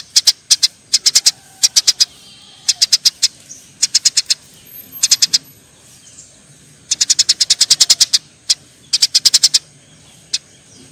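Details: Eurasian tree sparrows fighting, chirping in short clusters of three to five high notes, then a longer fast volley near the end, over a faint low hum.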